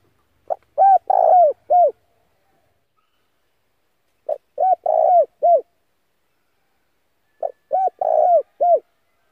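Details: Lure call of a spotted dove, played to draw in other doves: three repeated phrases about three seconds apart, each a soft lead-in, a hooked coo, a long rough coo and a final falling coo.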